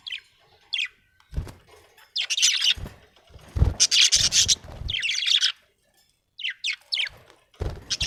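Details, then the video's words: Happy budgerigar chirping: bursts of dense, scratchy warbling chatter separated by short gaps, with brief sharp chirps and some low thumping and rubbing noises. "happy budgie chirping sound"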